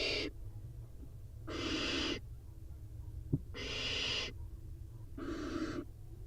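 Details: Four barn owl chicks in a nest box during a competitive feeding moment after a prey drop utter rasping hisses in separate bursts, interrupted once by a sharp click.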